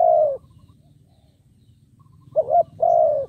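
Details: A decoy spotted dove calls to attract wild doves. One long falling coo is followed by a silent pause, then a wavering double note and another long descending coo. A faint hum sits beneath.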